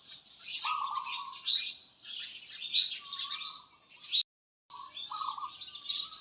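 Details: Wild birds chirp and twitter in a thick high chorus, punctuated by a few long, flat lower whistles; a short silent break comes near the end before the chattering resumes.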